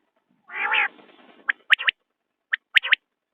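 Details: A drawn-out nasal, buzzy note from a common quail gives way to two clipped, whistled three-note phrases a second apart.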